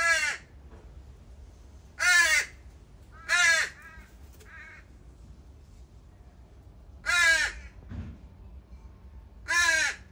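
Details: Begging juvenile crows, dropped off by at least three families at a feeding spot in the morning, give five loud grating caws over ten seconds, irregularly spaced, with a shorter, quieter nasal call between the second and third.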